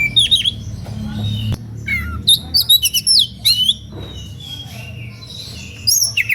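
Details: Oriental magpie-robin in animated, rival-provoking song: bursts of clear high whistles, rising and falling slides and clipped chirps, a quiet stretch midway, low droning hum throughout.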